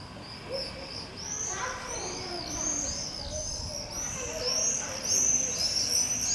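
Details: Common swift screaming party at Campus Toverfluit, Brussels, 13 July 2020, with non-breeders banging at potential cavities: shrill, high, arching screams overlapping from several birds about every half second, over a low background rumble.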